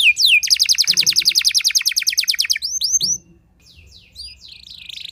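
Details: Rapid canary song said to provoke rival canaries, opening with one downward sweep, then a fast rolling trill of bright repeated notes, a few rising chirps and quieter scattered notes at the end.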